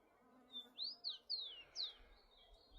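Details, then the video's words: Rufous-collared sparrow singing freely in nature, a brief burst of four or five high, clear whistled slurs, each swooping up or down, closing with a thin level note over faint background hiss. "Tico Tico Cantando Solto na Natureza"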